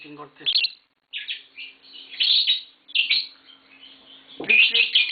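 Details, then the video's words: Kept green Fischer's lovebird pair, said to be mating, with babies nearby; scattered bursts of high, harsh chirps with short gaps, ending in a loud squeaky flurry. "Lovebird Singing & Chirping Sounds - Green Fischer Pair"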